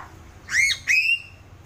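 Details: Sulawesi crow, also called gagak sule, uttering two clear piping notes: a short arched upslur followed by a longer, steadily rising whistle, with quiet background.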